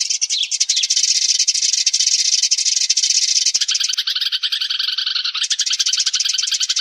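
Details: Sparrow flock call used as a lure for trapping birds: a dense, hissing wash of overlapping high chatter that breaks into clearer rapid chirps about halfway through, as if many birds are calling at once.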